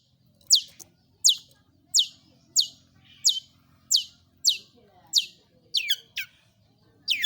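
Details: Long-tailed shrike (pentet, cendet), a lure recording meant to make other shrikes sing: sharp high downslurred notes repeated roughly every 0.7 seconds, loud and steady, with a faint low hum underneath.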